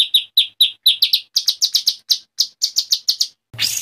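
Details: Agitated white-rumped shama song of crisp, separate high notes, paced about four per second, rising in pitch midway and ending in a harsh noisy burst.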